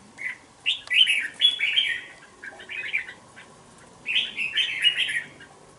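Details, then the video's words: Red-whiskered bulbul, a caged two-month-old youngster, sings lively warbled phrases in clustered bursts, pausing between groups of notes. "Mộc 2 tháng lồng bổi số 11"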